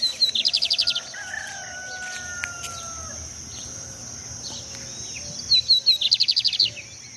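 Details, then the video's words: Lined seedeater singing beside a river: two short bursts of fast, buzzy, evenly repeated high notes, one at the start and one near the end, with a steady high hiss and faint background sounds between them. "Bigodinho cantando na beira do rio!"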